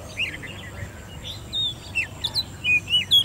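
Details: Oriental magpie-robin, ten months old, hand-raised and kept in a cage, giving competition song: scattered clear whistled notes and short slurs over a steady background hiss.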